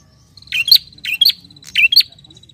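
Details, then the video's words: Three rapid doubled chirps from a bar-winged prinia calling to a rival, bright and emphatic, joined by a thin steady buzzing trill. "SUARA PRENJAK GACOR MEMANGGIL LAWAN"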